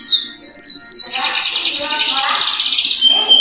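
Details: Loud, sustained canary song meant to set other canaries singing: rapid sliding whistles that merge into a dense rolling trill of about four notes a second, then a long clear high tone at the end.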